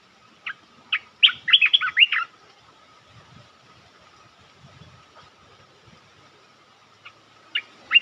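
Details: Bulbul luring call used for trapping, with a territory holder drawn down fast: a burst of quick, bubbly, warbled notes early on, then a few sharp isolated chirps. A steady faint tone runs underneath.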